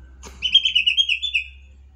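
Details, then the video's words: Sumatran leafbird from Sumatra, a yellow-headed green leafbird, delivering a brief warbled phrase of quick wavering whistled notes that trail off after about a second, with a faint low hum beneath. "Suara Cucak Hijau Kepala Kuning Em0si"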